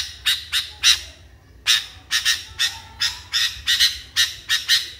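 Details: Agitated sooty-headed bulbul (kutilang) giving rapid series of harsh, raspy chattering notes, roughly two to three per second in loose clusters, with one brief gap near the middle.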